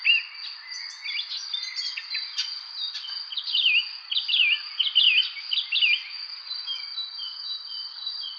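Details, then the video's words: Evening chorus of spring birds, with bright, rapid twittering notes clustered in the middle and sparser chirps around them, all beneath an unbroken high insect drone. "evening spring birds chirping"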